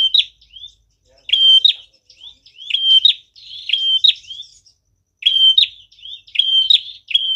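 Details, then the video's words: Prinia song used as a lure for trapping birds: repeated phrases of a high flat whistle ending in sharp chips, with soft slurred notes between, in bursts about once a second with pauses. "Prenjak tamu gacor cocok banget buat pikat dan pancingan"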